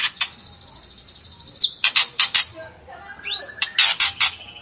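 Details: White-rumped shama song used to rouse another shama: a high thin sustained note, harsh rasping bursts, then a rising whistled sweep and more scratchy notes.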